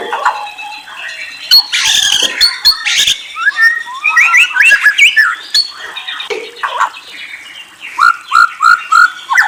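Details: White-rumped shama singing a rich, varied song of loud whistles and trills, phrases changing quickly, ending with a run of four or five repeated downslurred whistled notes.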